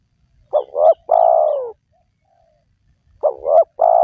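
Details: Spotted dove lure sound for wild doves. One full phrase of two brief warbling coos and a long, dropping coo. About 2.7 seconds later the next phrase begins. No other sounds.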